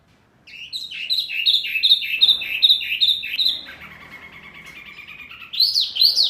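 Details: Masteran tutor song for Murai, Kacer, Cucak Ijo and Jalak: a rapid string of about fifteen bright chipping notes, then a softer, lower rattling chatter with background hiss, ending in loud, sharp high notes.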